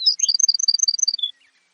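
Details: Baird's sparrow song, clear and close: a brief rising slur, then a fast series of crisp high notes that alternate in pitch and end on one lower, longer note.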